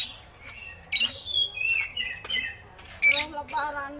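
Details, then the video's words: Oriental magpie-robin song with eagle-call imitations, recorded as training material for other songbirds; scattered bursts of whistled, slurred high notes and harsh chatter separated by brief quieter gaps. "Suara Burung Kacer Isian Elang"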